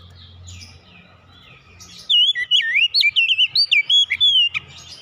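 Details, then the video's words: Oriental magpie-robin song played to restore a bird's singing: over a low background hum, a rapid sequence of bright whistled notes, sliding up and down, repeated about two and a half per second for nearly two and a half seconds. "kicauan ampuh mempercepat pemulihan Kacer macet bunyi langsung gacor"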